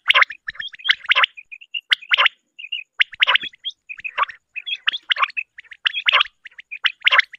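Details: Quail calling for a morning hunt: dense run of rasping bursts mixed with brief bright pips, roughly one call group per second, irregular spacing, clean background without other animals or voices.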